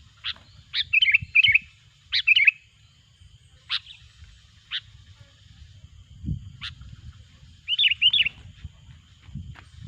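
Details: Sooty-headed bulbul song used as a lure for trapping bulbuls: sharp, clipped chip notes repeated in between, with several quick bubbly, warbled phrases. A low rumble runs underneath.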